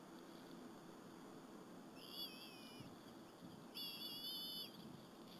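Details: Bald eagle eaglets eating a squirrel with their mother at the nest, afternoon of 30 April 2015, Berry College; two separate high, quavering whistled squeals about two seconds apart, with soft low rustling and steady hiss.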